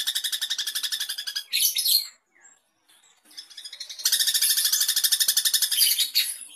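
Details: Long-tailed shrike song used to make other shrikes respond and sing: rapid harsh rasping notes about four per second in two bursts, separated by a short quiet gap.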